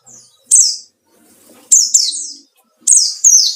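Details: White-eye singing 'ngalas' while looking for an opponent: loud, high, falling chirps, first single, then paired twice, each smearing into a brief buzzy tail.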